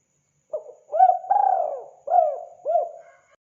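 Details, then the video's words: Spotted dove played to lure wild doves: a short opening note, then a run of mellow hooked coos with one long, drawn-out falling coo in the middle, on a quiet, clean background. "Mp3 burung tekukur sangat gacor"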